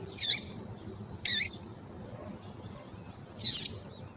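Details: Female double-collared seedeater calling, used to stimulate males to sing: three short, high, squeaky chip notes spaced about a second apart, with faint low background noise.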